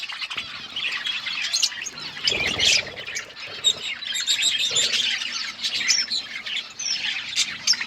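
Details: Colourful pet budgerigars in a flock, chirping together: a dense, continuous chatter of high warbling and twittering notes from many birds, with wing flutters.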